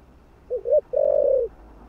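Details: Spotted dove cooing to stimulate other doves: a brief low double note followed by a longer, steady, hollow coo, low-pitched and clear against a quiet background.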